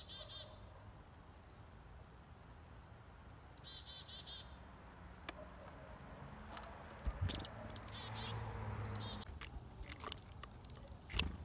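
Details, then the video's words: Chickadees visiting feeders and taking food from the hand: short runs of buzzy 'dee' notes near the start, with clicks, thumps and handling noise following. "Chickadees at Feeders"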